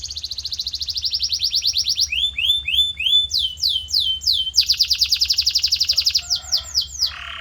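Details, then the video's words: Canary song as tutor audio for a pet bird: long rapid trill, bursts of rising and falling swept whistles, another even trill, then a lower rough buzzy note at the end. "Special Audio to Shape Your Canary's Voice Character"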